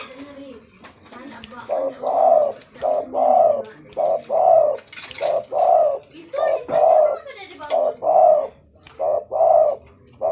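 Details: Zebra dove cooing loudly and persistently: mellow, low, rounded coo notes in short bursts, repeated roughly every second, with faint clicks and a steady high electrical whine behind.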